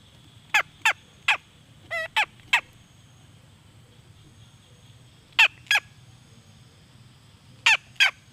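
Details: Red junglefowl hen calling: short, harsh, squawking notes with a slight downward slide, given in a quick cluster of six, then a pair, then another pair after pauses. A faint steady hum sits in the background.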